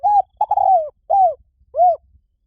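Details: Spotted dove giving a single note, a long burry coo, and two evenly spaced falling hoots, all low and mellow, with nothing else audible.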